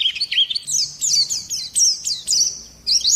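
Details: Oriental white-eye lure and tutor song: a short series of high, sharply slurred chirps and twitters with quick wavering notes.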